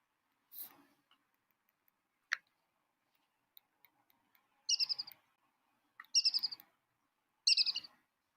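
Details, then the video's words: Brown-hooded kingfisher call played back from a recording at an African waterhole: short high chattering trills, each a rapid burst of notes, repeated three times about every 1.5 seconds after a couple of clicks. "going to play the call here for you of the brown-hooded kingfisher. I hope that you can hear. There we go."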